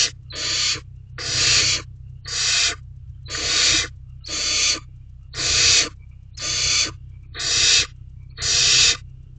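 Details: Wild barn owls in an owl box at night in May, a mouse swallowed whole; a long series of rasping, breathy hisses, each under a second, coming at a steady pace of about one per second over faint background hum.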